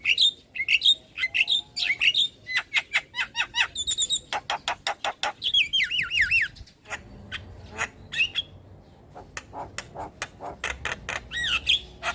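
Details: Tutor song of a Javan myna in strong voice: bright whistled notes, then a string of quick clicks, warbling trills and high squeaks, with a quieter passage and scattered chirps toward the end.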